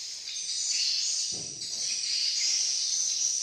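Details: Many swiftlets in a Malaysian area: continuous high, sharp twittering that swells and dips in loudness, with a brief low thud partway through.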